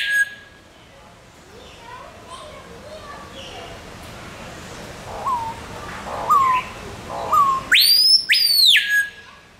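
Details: Screaming piha (Lipaugus vociferans) at close range in a zoo in Arnhem, Netherlands, giving its loud call: three soft rising whistles about a second apart, then an explosive, piercing two-part whistle sweeping up and down; faint forest birds behind.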